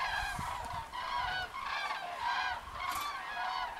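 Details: A flock of Common Cranes flying in line back to their evening roost gives loud, rolling trumpeting calls that overlap almost continuously, swelling about once a second with rich harmonics.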